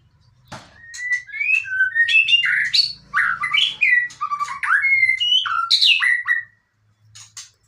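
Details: White-rumped shama singing in the fighter style: a fast, continuous stream of varied, rich whistled notes. Short rising and falling phrases follow one another for about six seconds, then a brief quiet pause and a couple of faint notes.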